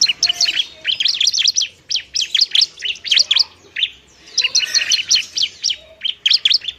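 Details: Bar-winged prinia, fighting-style singing to lure and stimulate lazy birds: lively, high, chattering chirps in quick clusters through the whole stretch, with only short pauses.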